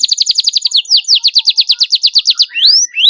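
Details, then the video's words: Canary chirping for young birds learning to sing: a quick trill of rapid notes, then about a dozen swept downward chirps repeated evenly several times a second, ending with two long rising whistles. "CUIT CUIT PALING AMPUH MERANGSANG BUNYI PAUD BELAJAR BUNYI"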